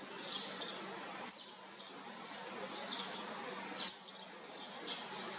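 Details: Olive-backed sunbird nestlings from a fourth brood at feeding: two thin, high-pitched chirps about two and a half seconds apart amid faint rasps and background hiss.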